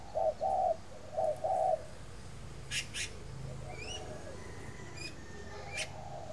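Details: Spotted dove at a bird garden in Ba Vì, Hanoi, Vietnam, in the morning: two low, hollow coo phrases open the recording, followed by quieter background with faint distant chirps and clicks.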